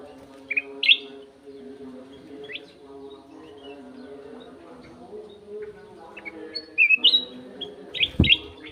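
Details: Sooty-headed bulbul giving bursts of rich chirping whistles at the start and again near the end, separated by a quieter stretch filled with a humming background drone and a late thump.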